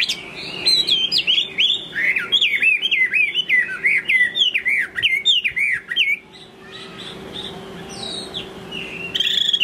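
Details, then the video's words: Chinese hwamei singing in the late afternoon, a fast string of looping whistled notes for about six seconds, then quieter scattered calls and a final loud phrase, with a low hum behind. "Chiều muộn thư giãn cùng Hoạ Mi Duy Minh ae nhé !"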